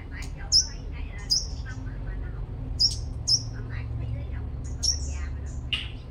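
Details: Five-coloured sunbird from Long Thành, Đồng Nai, Vietnam, sung as a lure: about six very high, thin, sharp chirps scattered unevenly over six seconds, each a quick upward flick, over a low background hum.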